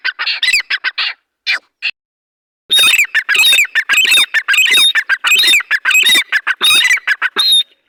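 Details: Teetar partridge (dhakani or arani type) calling in a fast, harsh, grating series of squawks about one and a half per second, a few scattered notes first, then a dense continuous burst.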